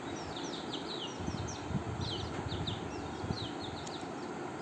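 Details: Hungry domestic chicks gathering around their keeper early in the morning, peeping: rapid, high, downward-sliding cheeps from several birds overlapping, with steady low background rumble throughout.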